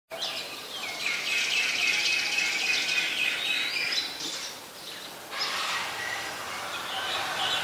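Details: Olive-backed sunbird in the mangrove forest of the Sirinart Rajini centre: a dense, high, thin twittering trill runs for several seconds, fading mid-clip and resuming, over steady background noise.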